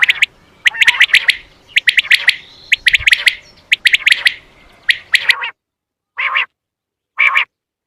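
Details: Quail lure call for hunting: rapid bursts of sharp, clipped, high notes, usually in threes, repeated about once a second over a faint background hiss, ending with a few shorter rasping notes.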